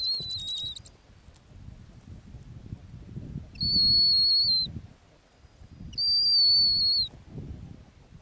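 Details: Ground-nesting female snowy owl in the Arctic utters three steady, high, pure whistles about a second long, spaced by pauses of a second or more, with a faint low rumble underneath.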